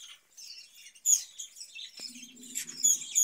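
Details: Caged budgerigars chattering in soft, scratchy twitters that grow louder with sharp squeaky notes, while a faint low hum runs underneath for about a second.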